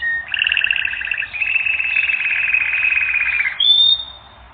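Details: Canary on a training recording gives a long, buzzy, double-toned trill with rapid pulses, ending in a short high whistle.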